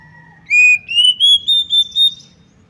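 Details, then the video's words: Female Oriental magpie-robin call meant to provoke males into aggression and tail-spreading: a steady lower whistled tone, then six loud whistled notes climbing gradually higher in quick even succession, over a faint low rumble. "PANCINGAN AGAR KACER CEPAT EMOSI, GACR DAN BKA EKOR || KACER BETINA"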